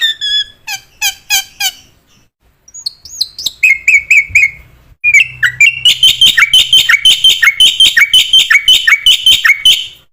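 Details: Black-winged myna singing energetically as training material for other mynas: clipped chirps and a short pause, then level whistled notes that build into a dense, rapid, ringing series of repeated phrases.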